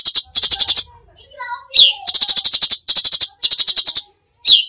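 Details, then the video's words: Cucak cungkok giving tembakan song: rapid rattling bursts of harsh notes with a sharp descending whistle between them, and some fainter lower warbling notes mixed in. "masteran cucak cungkok gacor full tembakan"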